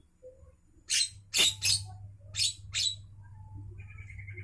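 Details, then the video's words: Javan myna at midday with five loud, harsh, rasping bursts, two close together then three more spaced widely, followed by a faint, steady whistled tone at the end over a low hum. "suara asli Burung jalak kerbau Siang Hari"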